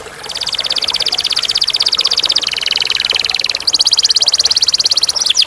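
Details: Canary song with clear tone: a long, fast rattling trill of rapid repeated notes, shifting pitch midway, then a higher quick trill with a few swoops at the end.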